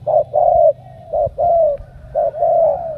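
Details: Spotted dove from Cà Mau, Vietnam, cooing strongly: a short low note followed by a longer slurred coo, the phrase repeated three times in about three seconds, with faint low hum behind.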